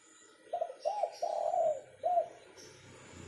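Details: Local zebra dove cooing: four soft, mellow low coos, the third longer and drawn out, over a quiet background hiss.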